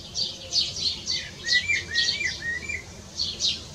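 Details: Evening song of a Eurasian blackbird perched on a rooftop, another answering in the distance; a mid-pitched run of short, slurred whistled notes in the middle, set among loud, rapid, high chirping from other birds.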